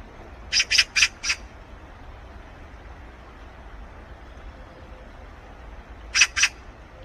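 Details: Resident, flock-living Eurasian magpie: a rapid burst of four harsh, grating chatter notes, a long pause over low background hum, then two more rasping notes near the end.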